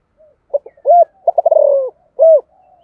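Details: Spotted dove cooing, the calling and urging type: a soft lead-in note, clipped short coos, a rapid rolling burst sliding lower, and a final rounded coo.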